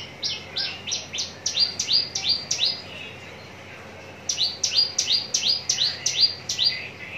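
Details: Horsfield's bush lark, a contest-ready bird at Cikupa, Tangerang, singing two bursts of about seven quick, bright, rising notes, roughly three per second, split by a short pause.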